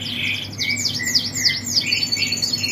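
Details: Mule siskin for sale in a bird kiosk, described as singing steadily: a fast, continuous twitter of bright chirps and quick up-and-down whistled sweeps, with faint low hum behind.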